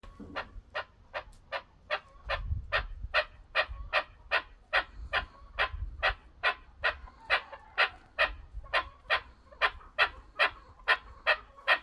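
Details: Chukar partridge calling: a steady run of short, harsh clucking notes, about two and a half per second, each sharp and broad, with low rumbling background noise.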